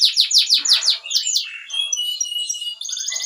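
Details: Loud canary song: rapid run of downslurred whistles, then sustained high pure tones and a buzzy trill.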